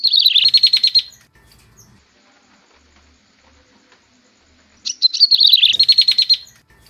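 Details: Lure sound of a Bar-winged prinia used to pull birds in: two loud bursts of fast, shrill repeated chirps, each about a second and a half long, separated by roughly four seconds of near silence.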